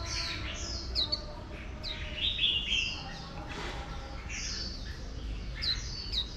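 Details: Oriental white-eye female calling to excite a wild-caught male toward líu song; bright high downward sweeps and a short burst of rapid twittering, with low rumble throughout.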